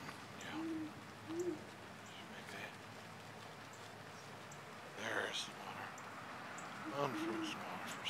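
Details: A female Great Horned Owl standing on the ground near a fountain on December 30, 2013, where she was seen drinking, gives soft, low hoots, two close together and one a few seconds later, while people talk quietly nearby.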